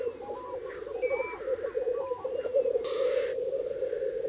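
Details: Black grouse males displaying at a lek in early spring in Bažu bog, Slitere National Park, where cocks hold territories; steady low bubbling chorus runs throughout, with thin whistles from other birds above and a brief hiss near the end.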